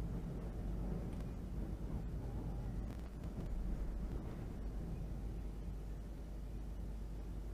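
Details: No animal sound is heard, only steady low rumbling wind or traffic noise.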